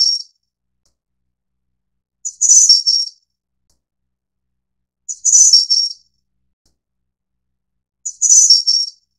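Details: Snowy-browed flycatcher of subspecies innexa repeating a shrill, wiry phrase roughly every three seconds, a quick introductory note followed by a fluttering high trill, with no other sounds present.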